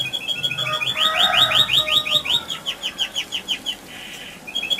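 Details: Canary rolling song meant to provoke other canaries: a trill, then a fast series of rising whistled notes about five a second, slowing near the end before a brief buzz and a restart.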